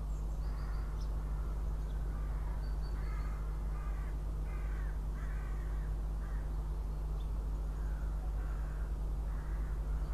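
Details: Northern goshawk at its nest in Riga, Latvia, guarding eggs during incubation, 6 April 2016, nest camera: a series of nasal, harmonic calls, spaced unevenly about a second apart, over a constant low mechanical hum.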